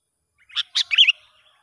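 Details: In the wild, a sooty-headed bulbul responds during a young lure bird test with a brief, cheerful bubbling phrase: two clear chirps running into a rolling, slightly descending warble.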